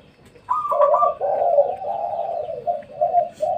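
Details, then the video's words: A spotted dove coos at midday near a house, giving soft, low, hollow notes: a rolling first phrase, then a string of shorter hoots, against a quiet background. "suara tekukur"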